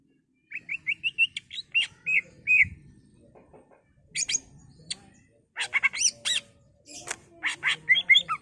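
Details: Greater green leafbird song full of borrowed phrases (isian) in the ngentrok style, used as a lure to stir up other leafbirds: a run of short whistled notes, a pause, then loud chattering bursts and sharp whistles.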